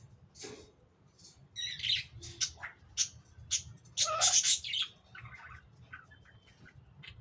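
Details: Lory couple feeding on apple, chattering loudly: harsh squawks and sharp chirps come in quick irregular bursts, the loudest cluster near the middle, then softer twittering notes, with faint background hum.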